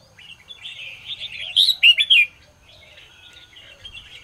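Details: Red-whiskered bulbul in morning song, played to push other birds to sing: soft rambling warble builds into three or four loud, clear whistled notes, then fades back to faint twittering.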